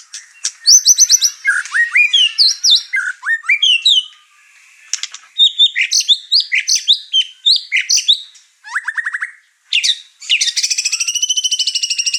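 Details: White-rumped shama, over-excited and unloading its song repertoire, stirring up the other birds in the house: a rich run of varied whistled phrases, quick slurred notes and chips, ending in a buzzy trilled series.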